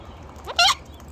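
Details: Cockatoos arriving for a bonus early feed, one bird on a person's shoulder: a single short harsh screech with a fainter rising lead-in, over low background hum.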